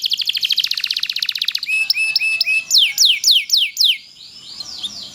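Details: Canary, loper type, in long tutor song: a quick rolling trill, then slower sharp whistled notes sweeping downward, fading to softer notes at the end.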